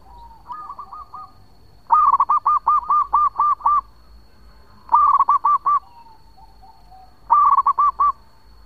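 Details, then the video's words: Local zebra dove in active long song, used as a lure: three loud phrases of fast, rolling coo notes, each six to eight notes, with soft introductory coos and a thin high steady tone behind. "Perkutut Lokal Gacor Suara Panjang buat Pancingan"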